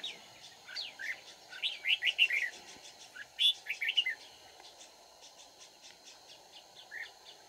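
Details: Red-whiskered bulbul heard while trapping, 31 March 2019: a run of quick chirpy warbled notes packed into the first half, then sparser single chirps, over a constant low hum.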